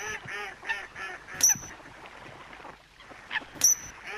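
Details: Coot calling: a quick series of about five nasal, honking calls in the first second and a half, then a quieter stretch broken twice by sharp clicks carrying a thin, high tone.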